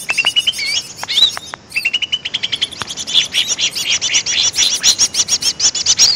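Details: Greater green leafbird lure call opening with flat, level whistles and a few dry clicks, then swelling into a dense, rapid stream of high chattering chirps repeated many times per second.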